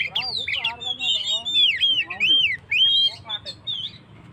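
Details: Caged Oriental magpie-robin in full song, used to stir up stressed birds: clear rising and falling whistles and looping slurred notes, interspersed with short chattering bursts.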